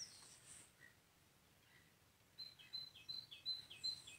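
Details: Whimbrel at Jönsbolssjön, Almunge, in May 2020: a run of six clear, high whistled notes, evenly spaced about three a second, after a quiet start with faint distant chirps.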